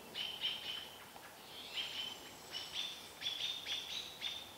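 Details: American robins mobbing an adult barred owl while its young looks on, Vancouver area: sharp, bright chip notes with a high tonal edge, in quick bursts of two or three, separated by short pauses.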